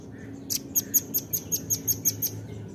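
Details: Nuthatch calling for luring: a crisp series of ten high, clipped chips delivered at a steady fast pace, over a continuous low hum.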